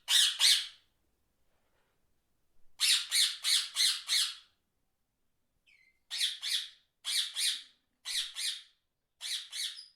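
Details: Parrots calling with harsh loud squawks in groups of two to five, separated by silent gaps, a faint whistle in the middle.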